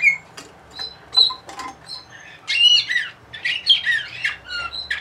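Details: Bulgarian canary of the Orpheus line, bred in Sofia, singing in 2020: varied short whistles and buzzy rolls, with softer notes first and then a louder, dense burst of mixed trills and slurred whistles, indoors.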